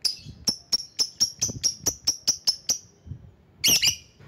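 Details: Lovebird recording meant to summon rivals: a steady run of about eleven quick, sharp, high chirps, then a short harsh screech.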